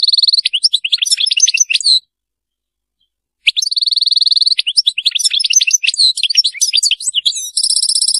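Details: European goldfinch singing a rapid, varied twittering song of high chirps and buzzy trills, pausing briefly in the middle, then resuming and ending on a steady ringing trill.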